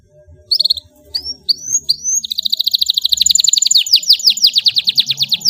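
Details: Canary song meant as a master for young birds: a few separate rising whistles, then a long fast rolling trill of bright repeated notes, with low murmuring noise behind.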